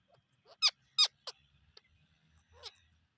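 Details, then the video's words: Parrot giving loud, harsh squawks with a downward sweep, about four calls spaced irregularly across three seconds against a quiet background. "Natural sound of perrot"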